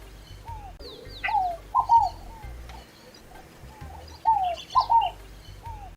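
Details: Scaled dove (Columbina squammata), Brazil, song: soft, hoarse, down-slurred coos in quick groups of two and three, rendered "fogo-apagou", repeated after a pause, with faint chirps of other birds behind.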